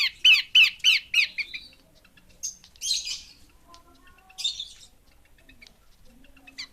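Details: A short burst of loud, harsh downslurred notes from a female Horsfield's babbler, slowing and softening, then scattered raspy hisses and quiet clicks.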